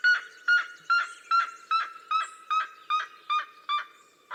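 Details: Red-legged seriema of the Cerrado in duet song: loud, harsh yelping notes repeated about every 0.4 seconds in a steady series, each note strong and rich in overtones.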